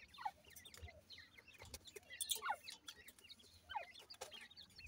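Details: Raised francolin chicks, known locally as desi Irani teetar, give clusters of short high cheeps that bend up and down, coming in bursts with brief gaps, mixed with scattered taps and clicks.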